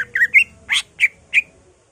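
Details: Greater green leafbird in agitated ngentrok song with borrowed phrases of magpie-robin, laughingthrush, cililin, white-eye and canary: six harsh, squawky whistled notes spaced about a third of a second apart, over a faint low hum.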